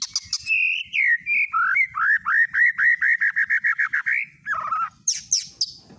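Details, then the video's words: White-rumped shama lure song meant to trigger singing: a varied opening of whistles and high notes, then a fast run of about twenty repeated mid-pitched whistled notes, ending in buzzy and high scratchy phrases. "PANCINGAN MURAI BATU TERDASYAT~LANGSUNG EMOSI DENGAR MP3 INI"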